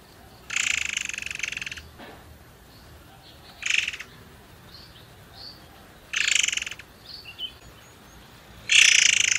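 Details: Forktail recording used as a lure to prompt other birds to sing: four loud, harsh, buzzy rasping bursts, each about one second or shorter, spaced roughly two to three seconds apart, with faint thin chirps between them.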